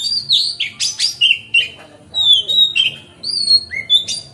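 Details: Kacer, the oriental magpie-robin, in loud, easy ngeplong song meant to provoke other magpie-robins into opening their tails: sweet sustained whistles, downward slurs and crisp chirps in rapid varied phrases.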